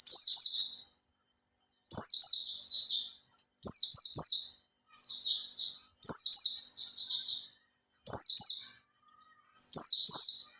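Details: High, rapid twittering bursts from a caged Oriental white-eye (pleci) kept three months and learning the 'buka ekor' style, used as a lure song; each phrase lasts about a second, separated by clear silences, faint clicks.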